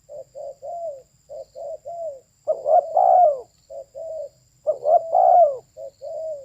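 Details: Spotted dove, a female, giving mellow repeated coos: short soft introductory notes followed by a fuller, louder rolling coo, twice in succession, with a quiet background.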